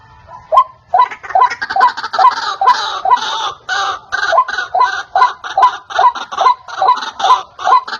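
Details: Lure call for trapping white-breasted waterhens: after a brief start, loud rasping, clucking notes repeat evenly, roughly twice a second, each a short hoarse double syllable, continuing to the end.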